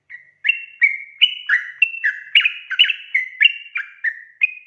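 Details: Lively trucuk song, or yellow-vented bulbul, played to lure untrained birds into singing; after a short lead note, a rapid chain of bubbly, downslurred and upslurred whistles follows, around three per second, sometimes overlapping.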